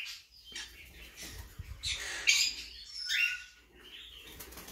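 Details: Blue-mutation Quaker parakeet voicing two rough, buzzy squawks about a second apart over a faint background hiss and light scratching.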